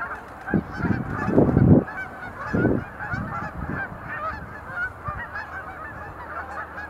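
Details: Sandhill cranes performing display leaps at Montezuma National Wildlife Refuge visitor center in November 2020; a busy chorus of rolling trumpet calls, interrupted early by heavy low-pitched bursts.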